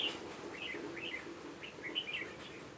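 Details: A decoy red-whiskered bulbul from Hòa Bình sings in a bird trap on 18 November 2017. Rapid rising and falling whistled notes run in quick succession, with a faint lower murmur beneath.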